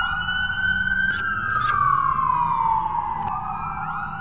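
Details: A steady siren wail slowly rises and then falls, with a few sharp clicks over low background rumble and no animal sound.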